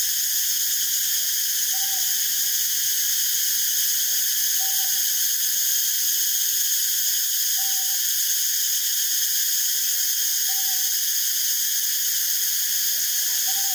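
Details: Paired mellow hoots of a Northern boobook, subspecies totogo, during foraging and preening, a short note and a longer note repeated roughly every three seconds, steady and even, beneath a loud continuous high hiss.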